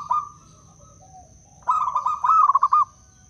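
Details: Zebra dove of the wild local Blora strain, Indonesia, singing as a lure for trapping and for prompting reluctant doves to call: a brief coo, then a bubbling phrase of quick pulsed notes that rises slightly in pitch, with a faint constant high hum.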